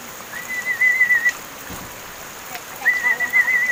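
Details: Seven-month-old pet mynas raised by hand and now talking; two clear, wavering whistled phrases, each about a second long at an even, moderately high pitch, separated by a two-second gap, with soft hiss behind.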